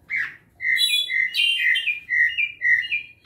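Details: A clay-colored thrush (Turdus grayi) calls with a quick run of clear, slurred mid-pitched notes, roughly two each second, some rising and some falling, over a quiet background.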